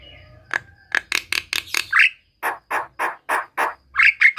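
A Javan myna sings a run of harsh, rasping chatter notes, several each second, mixed with brief clear whistles near the end.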